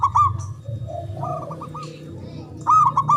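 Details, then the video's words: Javanese zebra dove with a big, long-breathed voice, used to set silent doves singing. Quick bubbling coo phrases open and close the passage, with lower softer coos between and a persistent low droning hum. "Pancingan Ampuh Pendongkrak Perkutut Bisu🔇 Malas Bunyi🔊 Bikin Rame"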